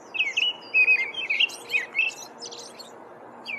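An American robin sings short, clear caroling phrases, rising and falling, with a few thin, high notes mixed in over a faint background hum.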